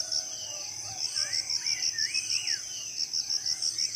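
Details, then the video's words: Wild birds calling in the morning in tropical rainforest in Southeast Sulawesi: several looping, slurred whistles rising and falling, partly overlapping. A loud insect trill pulses steadily about three times a second above them. "Merdu suara burung dipagi hari ditengah hutan"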